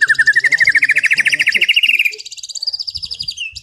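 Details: Relaxed afternoon song of a white-rumped shama, played to calm an overexcited bird: a long rapid trill of notes rising steadily in pitch for two seconds, then softer high buzzy trilling.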